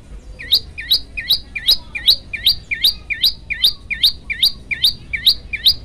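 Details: Prenjak lumut, the olive-backed tailorbird, in a varied song: a continuous, evenly spaced series of about a dozen dipping-then-rising notes, each ending in a sharp high chirp, around two per second.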